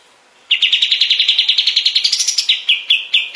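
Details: Kapas tembak bulbul in a master recording for songbird training: a fast rattling trill that climbs in pitch, then slows into several separate, spaced chirps.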